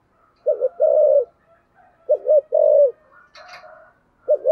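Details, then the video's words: Spotted dove with a deep 'thunder voice', rapid cooing in low phrases of a quick double note and long rolling coo, a short rustling noise between phrases. "cu gáy giọng thổ sấm/ cu gáy thúc gù cực đỉnh"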